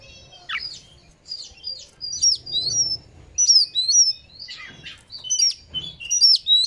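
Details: Oriental magpie-robin singing bursts of bright, high whistles, sliding notes and quick chattering chirps, roughly one phrase every second, over a faint low rumble; used as a lure to make magpie-robins sing and fan their tails.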